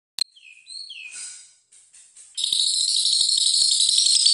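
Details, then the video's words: White-rumped shama (murai batu) master song for training birds: a few clear sliding whistles, then a dense, jingling, rasping wash of high notes peppered with sharp clicks. "SUARA BURUNG - Masteran Terbaik Murai Batu"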